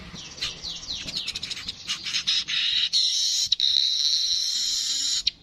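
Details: Streaked weaver opening with rapid scratchy downslurred chips, then a continuous harsh buzzing wheeze that holds level for several seconds with a couple of short breaks.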